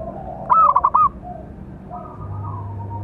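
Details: Local zebra dove with a big, special voice, a calling song used to train and provoke other doves: one loud phrase of five or six quick, cooing notes near half a second, then faint coos and steady low hum.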